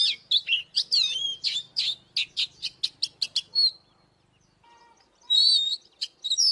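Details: Oriental magpie-robin singing for fighting: a fast series of sharp repeated chirps at a steady beat, a quiet pause with a soft low hum, then bright rich whistled phrases resume.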